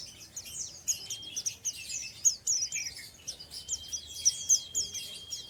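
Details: Ngeriwik song of an untrained oriental white-eye: fast, high, scratchy twitter notes repeated about four times per second, joined in the second half by a long, steady high tone.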